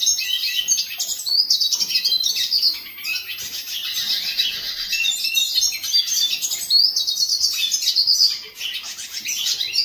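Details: A hooded siskin's song: an unbroken, busy warble of sharp high chirps, trills and brief whistles that rises and falls in intensity over about ten seconds, with only a short dip near the end.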